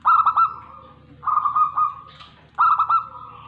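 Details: Local zebra dove, or perkutut, from Tegal, Indonesia, singing. Three mellow cooing phrases come at roughly 1.2-second intervals. Each opens with a quick stuttered triplet of notes and then settles into a level, drawn-out coo.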